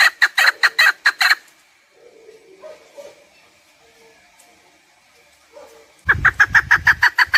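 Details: A chukar partridge gives a short burst of rapid harsh chuk notes, then falls nearly silent apart from a few faint low notes. A second loud burst follows with a low thump, in a recording for hunting.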